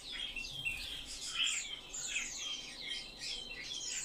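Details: Eurasian blackcap warbling in quick varied phrases, sliding whistled notes and brief chirps roughly every second, fairly loud and clear.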